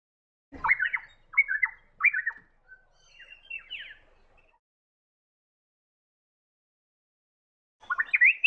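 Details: A Varied Honeyeater in blossoming trees along the Esplanade in central Cairns, Queensland gives a run of loud, ringing, whistled phrases that rise and fall, pauses a few seconds, then starts another lively burst.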